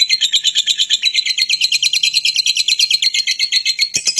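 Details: Fighting lovebird calling to provoke other lovebirds into responding and singing longer. A piercing, high-pitched stream of fast, even pulses, about six per second, continues without a break.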